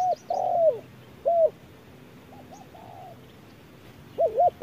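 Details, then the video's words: Spotted dove challenging a wild bird under harsh noon sun: strong low coos, one long wavering note, single short coos, a soft murmured phrase, then a quick double coo. "MỒI MÁY DẬP ĐẤU BỔI GIỮA TRƯA NẮNG GẮT BỔI HÁ CẢ MỎ"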